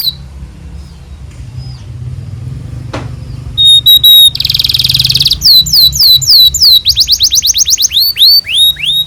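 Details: Canary song with a long 'cuit cuit' phrase, used as a master recording to train young canaries. After quiet, noisy seconds, a loud buzzy trill gives way to rapid, sharply sweeping whistled notes repeated several times a second.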